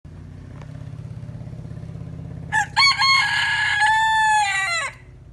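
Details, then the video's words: A rooster described as a good crower gives one long crow: two short rising notes, then a sustained, slightly falling harmonic-rich note that stops abruptly. A steady low engine-like hum runs underneath throughout. "Gà Gáy Hay"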